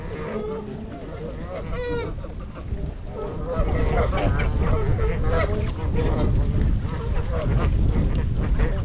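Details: Trumpeter swans, among 42 (26 adults, 16 juveniles) wintering at Gallup Park, Ann Arbor, Michigan, January 8, 2022, GoPro recording: honks sounding clearly for the first few seconds, then largely covered by louder low rumbling noise.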